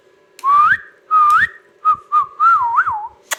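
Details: Rose-ringed parakeet kept as a talking pet gives clean whistled phrases in a quiet room: two rising slurred whistles, a short steady note, then a longer whistle that swoops and wavers before dropping away.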